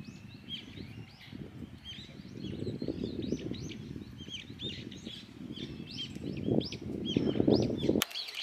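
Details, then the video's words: A noisy group of brown-eared bulbuls in a blooming cherry tree, feeding on nectar; rapid overlapping squeaky, rising and falling notes form a busy chorus over steady low-pitched background rumble, ending with a sharp click. "Bulbuls making noise in the cherry tree. 桜の木で騒ぐヒヨドリ"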